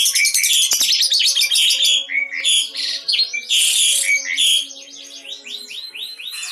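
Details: Lovebird showing konslet, long unbroken singing: dense, high, rapid chattering and twittering with sharp squeaks, closing in a run of repeated rising chirps, with no pause throughout.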